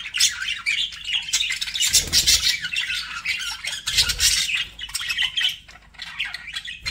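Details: Pet budgies squawk and chirp in a busy, scratchy chorus, louder bursts near the start and middle, with soft low thumps underneath.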